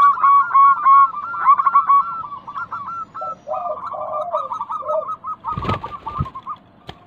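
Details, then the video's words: Local zebra dove song used as a lure to make other doves answer: rapid, rolling cooed notes near one pitch, several birds overlapping, with lower burbling phrases and two short loud clattering noises near the end. "Pancingan Ampuh burung perkutut lokal bikin nyaut kutut sekampung Untuk Atasi macet bunyi"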